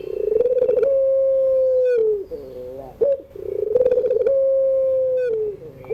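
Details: Two long afternoon coos of a puter pelung, or Barbary dove, used to train birds still learning to sing. Each opens with a rolling, throbbing build-up, holds a smooth, level tone, then drops away, with a faint wavering note between them.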